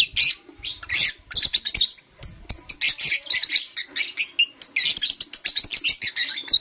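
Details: Continuous shrill chatter from Blue Opaline and Parblue Euwing Opaline lovebirds in the morning, with high, harsh chirps tumbling one after another and hardly any silence.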